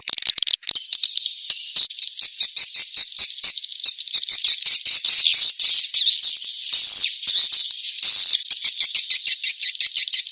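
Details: Swiftlet-attracting call of edible-nest swiftlets, a dense rapid chattering twitter of high buzzy notes running continuously for about ten seconds.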